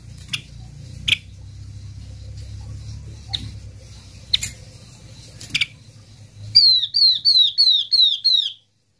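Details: Flock-attracting lure call of a yellow-eyed babbler: scattered sharp clicks over a low hum first, then six quick, descending whistled notes at the end, each sliding down in pitch.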